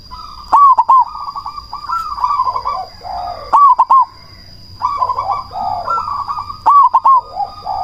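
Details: Cemani variety zebra dove singing loudly as a lure to make quiet doves answer and to raise breeding drive. Its phrases are sharp stuttered coos followed by a rolling purr and lower fading notes, repeated roughly every three seconds. A constant high whine is present.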